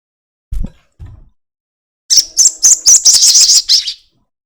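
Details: Two low knocks precede a crested jay's long chatter, a lure to get other birds singing quickly: a dense, high, buzzy rattle of rapidly repeated notes lasting about two seconds.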